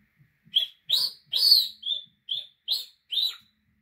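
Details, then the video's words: African grey parrot giving a series of seven loud, sharp chirping whistles about half a second apart, several slightly rising or bending at the end, with a quiet background. "Grey talking"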